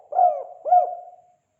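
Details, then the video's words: Spotted dove, locally called tekukur, giving a two-note 'kuk 2' lure call used for bird trapping: two low hooting coos, each rising briefly then falling, about half a second apart, with no other sounds. "Suara panggilan burung tekukur kuk 2 bagus untuk masteran dan pikat"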